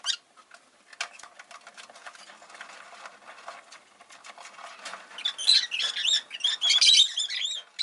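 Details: Five caged rosy-faced lovebirds by a window in winter: soft rustling and scratchy fluttering build into a dense stretch of high, squeaky, twittering chatter toward the end.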